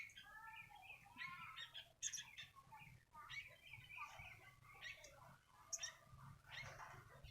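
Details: A single sooty-headed bulbul sings a run of short, bubbly, harmonic phrases rising and falling in mid pitch, with sharper chirps overlapping near the end and a steady low hum underneath.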